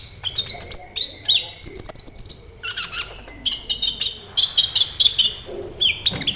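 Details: Lure recording of a sunbird known locally as kolibri ninja, singing loudly: high, thin trilled phrases and steady whistled notes mixed with rapid clicking chirps, in uneven bursts.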